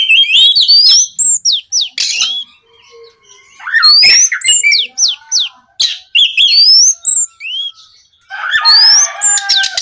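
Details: Oriental magpie-robin song aimed at getting other magpie-robins to sing: fast varied phrases of upslurred whistles, chips and downslurs, some harsh scratchy notes near the end.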